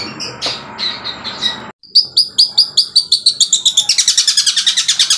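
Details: Long-tailed shrike, a singing caged bird said to already mimic the "kuntilanak" ghost sound, gives a high, varied song that shifts into rapid repeated chips, speeding up to a fast trill of about five notes a second.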